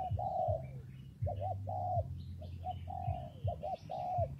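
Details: A spotted dove in wet, windy weather gives hollow coos, a long note then quick doubled notes and more drawn coos, while other birds twitter faintly behind and a low hum persists.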